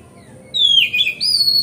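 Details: Lure song of a magpie-robin for prompting others to spread their tails: one clear whistle slides down into a warbled twist, then rises into a bright, level high whistle.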